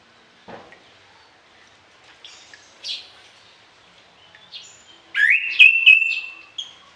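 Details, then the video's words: An orange-headed thrush singing actively with varied fill-in notes, used to train other birds in the morning and evening. Soft chips and short buzzy notes build into a loud, rising, sustained whistle. "ANIS KEMBANG GACOR DOOOR, VARIASI ISIAN"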